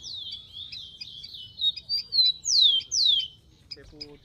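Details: Rufous-collared sparrow in the wild, giving high wavering whistles that run into three loud, steeply descending slurred notes, then a brief low sound at the end.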